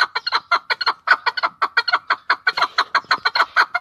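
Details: Chukar partridge in Tajikistan giving quick, rhythmic, throaty chuk notes, some paired, in an unbroken series.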